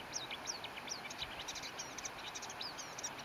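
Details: Marsh warbler singing at 22:00 on 9 June 2015 at Briollay, Maine-et-Loire, France: a fast, unbroken stream of varied chirps, trills and short downslurred whistles, several notes per second, over steady background hiss.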